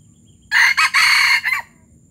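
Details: A Palembang junglefowl gives one brief, harsh crow of four quick rasping syllables lasting about a second, with a clipped ending. The background is quiet.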